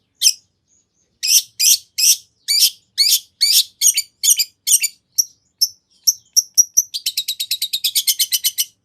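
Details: Long-tailed shrike in energetic song full of fill-in phrases, used to lure a rival into answering: one sharp note, then a steady string of dry, buzzy chips that ends in a fast, tight trill of rattling notes.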